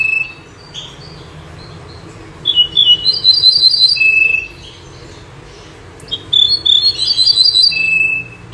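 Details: Common nightingale, known locally as bouh zarhouni or menyar and said to sing by day and night: two bursts of rapid, repeated high chirping notes, each ending in a steady thin whistle, separated by quiet pauses.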